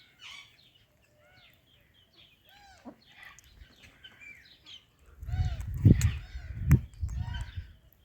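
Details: Talking ring-necked parakeet greeting an Alexandrine parakeet: quiet, chattering speech-like phrases with curving, chirpy notes for five seconds, then loud low rumbling noise with sharper squawks on top.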